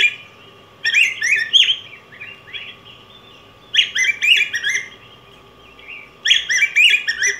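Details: Yellow grosbeak (Pheucticus chrysopeplus) singing three bursts of rich, warbled, whistled phrases, each about a second long with quick up-and-down slurred notes, separated by quiet pauses of roughly two seconds; a steady faint hum tone runs underneath.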